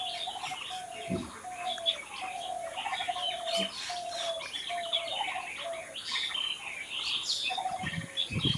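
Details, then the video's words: Natural birdsong chorus recorded raw outdoors. Many birds chatter and chirp together over a steady run of lower whistled notes repeated at an even pace, with faint hiss throughout. "Natural Birds Chirping"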